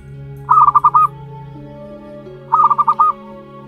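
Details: Two short runs of rapid throbbing coos, two seconds apart, from a one-month-old local zebra dove chick of wild stock, with music in the background.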